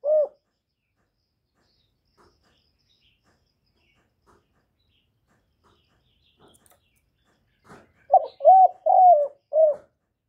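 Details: Spotted dove cooing in the "gọi, thúc, gù" manner. One brief coo opens, then about seven quiet seconds pass. A run of four quick soft coos follows, then a closing fifth, all hollow and mid-pitched.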